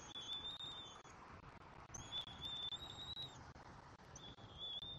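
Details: At a Southwest Florida nest in February 2024, a bald eagle eaglet fed by its mother and grabbing a rat pelt gives high, thin, slightly wavering whistles in a few drawn-out bursts against blustery background noise.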